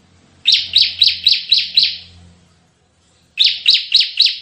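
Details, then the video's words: Energetic Bar-winged prinia singing 'tembakan' style, used to lure birds and tutor others: six rapid falling chirps, nearly four per second, a gap, then another fast series, over faint low hum. "Masteran suara tembakan CIBLEK GACOR untuk pikat dan masteran"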